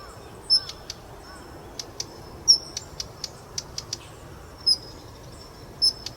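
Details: Daurian redstart calling; males and females give three call types. Sharp thin whistles come at intervals, with rapid runs of dry clicking ticks between them, about thirty notes a minute.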